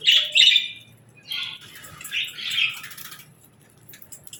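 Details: Evening budgerigar chatter at feeding time: a few bright, rasping chirps and warbled phrases, loud at first then softer, in a quiet setting.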